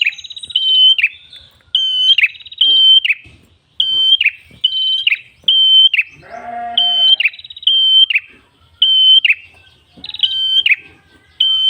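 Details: Persistent red-headed prenjak song used as lure and tutor audio: a long series of bright level whistles, each clipped by a rasping fall, paired in quick runs, with a short rough burst midway.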